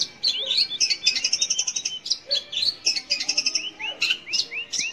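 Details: Singing long-tailed shrike, used as a lure for young or silent shrikes: hurried scratchy chatter mixed with quick whistled notes, ending in a series of upswept whistles repeated about twice a second.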